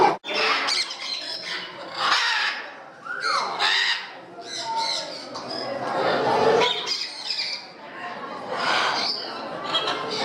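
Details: Parrots at a parrot house in Gdańsk, Poland: harsh, broadband squawks in loud bursts near the start, then around two, four, six and nine seconds, over a steady background of people talking indoors.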